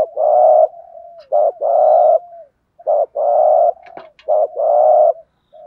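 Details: Spotted dove lure calling rapidly in the urging thúc gù manner to provoke wild doves: short clipped notes alternating with long buzzy coos, almost without pause, a brief click midway.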